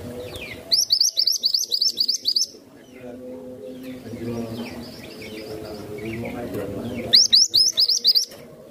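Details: Masteran tutor songbird with two bursts of quick, high, bright chirps, each a second or two long, separated by a pause filled with a low droning hum and faint softer chirps.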